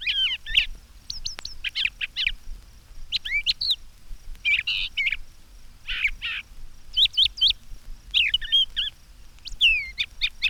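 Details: A Brown Thrasher sings in spring from a treetop, tail down and head up, a long run of varied, slurred and buzzy phrases, several repeated in quick pairs, in bright bursts about a second apart.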